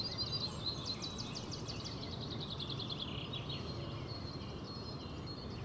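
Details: A kingfisher, thought to be a male, on a Dutch live webcam on 21 April 2011 gives a quick series of thin, high, piercing notes, about three a second, over a steady low background rumble.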